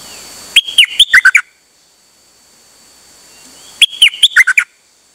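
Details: Dok taeng bird singing on 8 September 2023, delivering two rapid bursts of clipped whistled notes about three seconds apart, each burst falling from higher to lower pitch, with quiet gaps between.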